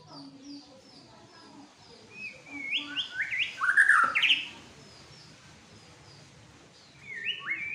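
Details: A white-rumped shama, kept as a fighter bird and agitated, sings a short burst of rising whistles and harsh notes, with quieter chips before and after.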